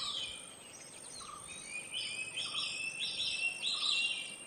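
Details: Silver-breasted broadbill recorded in Bogor giving short, high chirps and thin whistled notes, repeated irregularly, over a steady high insect hiss.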